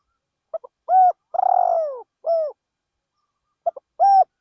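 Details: Decoy spotted dove calling from a rice field: stuttered lead-in notes, a flat coo, a long buzzy coo sliding down, a final coo, then the next phrase begins.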